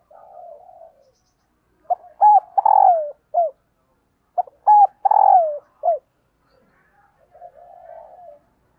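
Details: Female dove calling to excite males: two phrases, each of quick short notes, a long swelling coo that slides downward and a final clipped note, framed by low soft murmuring coos at the start and end.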